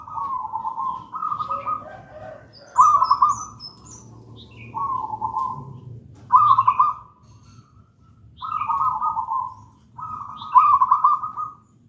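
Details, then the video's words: Gedang rojo local zebra dove in full song, used as a master and lure for young doves that do not sing yet; seven soft, rolling cooing phrases, each a short burbling trill, with faint higher chirps between. "Perkutut lokal gedang rojo gacor merdu"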